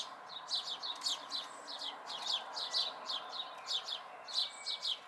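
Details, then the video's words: House sparrow fledglings, May 2020, giving clustered high chirps in quick pairs and triplets, with a faint thin whistle in places over low background noise. "House Sparrow Fledglings"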